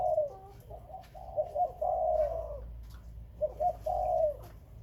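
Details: Breeding spotted dove of Khmer and Malay stock cooing. A soft low coo is followed by stuttered notes and a long, smooth falling croo, then a pause and a second similar phrase.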